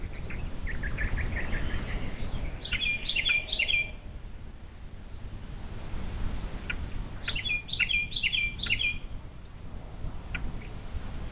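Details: Bald eagle chicks left alone all day without parents or food in the Little Miami Conservancy nest, on a live nest camera, 12 May 2023, give clusters of thin high chirping peeps, paused between bursts, over wind rumble.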